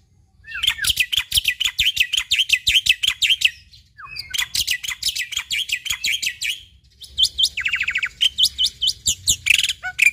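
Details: Jalak putih, the black-winged myna of Indonesia, singing a dense varied song: long stretches of rapid, scratchy chattering broken by brief gaps, then buzzy trilled phrases and sharp whistles toward the end.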